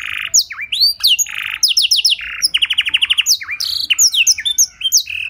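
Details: Canary tutor song with blackthroat phrasing: buzzy blocks alternate with rising whistles, then a long run of quick, evenly repeated notes and more chirped sweeps, clear and loud.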